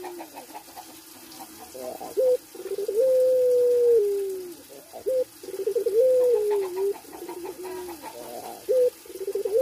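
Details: Barbary dove, puter pelung type, in breeding condition: soft low murmurs lead into a long steady coo that droops at the end, followed by short clipped notes and a further drawn coo.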